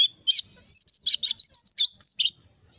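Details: Jongkangan bird in moult, shedding feathers, its voice hoarse and unable to sing fully; about a dozen short chirps and brief whistled slides packed into two seconds, some notes rasping, others clearer and higher, with near-silent background.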